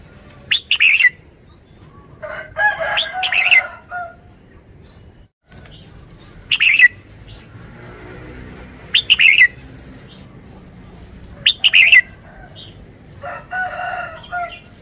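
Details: Red-whiskered bulbul repeating short, lively warbled phrases roughly every two to three seconds, with a buzzy, grating call from another bird heard at times.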